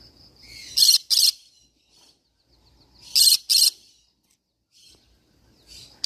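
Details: Green-cheeked conure producing rasping two-part screams, two loud pairs about two seconds apart, with quieter thin chirps and twitters between them.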